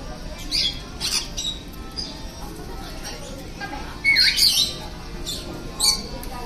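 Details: Captive green-cheeked parakeets preening each other at an indoor animal-contact facility in a shopping centre in Matsuyama, Ehime, Japan. Short harsh squawks come in scattered bursts, a louder double squawk near the end, over a steady indoor hum.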